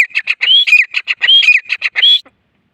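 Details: In Layyah, a grey francolin gives a rapid, loud call. Rising whistled notes alternate with quick runs of sharp clipped notes, repeated three times in under three seconds.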